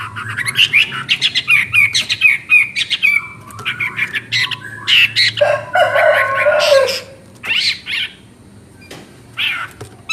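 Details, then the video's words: Chinese hwamei in varied song: quick repeated chattering notes, a rich lower warbled phrase, then scattered sharp calls separated by pauses, over a low background hum. "Burung Hwamei Wambi NGOCEH Istimewa Gacor Suara Cristal Isian special"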